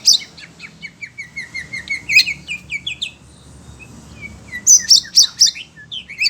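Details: Captive Oriental magpie-robin (kacer) singing agitatedly on hearing other birds: bright, high whistled notes and short sharp chirps in quick rising and falling series, with a brief pause midway before loud clipped notes resume.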